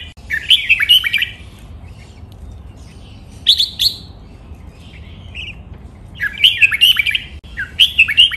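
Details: Red-whiskered bulbul singing training-song styles such as master and drawn-out song: clear rolling whistled phrases repeated several times, with brief gaps and one short isolated note between them.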